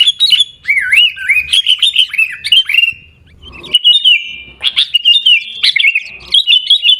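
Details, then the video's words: Sooty-headed bulbul singing in the Gaya Garuda style, recorded in Pidie, Aceh: quick bubbly whistled phrases that slide up and down, broken by a short pause midway before a second burst of chattering notes. "Gaya Garuda Burung Kutilang"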